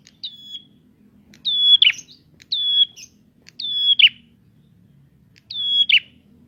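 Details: Vigorously singing prinia, a recording meant to provoke untrained prinias; five high, clear whistled phrases, each a flat tone that drops into a brief buzzy flourish, separated by short pauses in a quiet setting.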